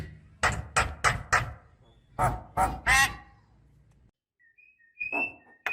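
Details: Female Javan myna calling to a male, a lure recording meant to stir quiet birds into singing: a run of harsh, rasping, broadband notes in quick bursts, then a few thinner squeaky notes, over a low steady hum.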